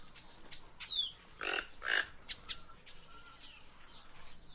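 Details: Guianan toucanet giving a pair of rough, noisy croaks in quick succession. A busy background of high whistled and chirping notes from other forest birds surrounds them.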